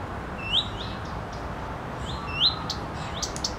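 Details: A female common redstart perched on a wind-swayed branch, bobbing her tail, gives her characteristic call, two clear, rising whistled 'hweet' notes about two seconds apart, each followed by soft ticking, over a faint steady background hiss.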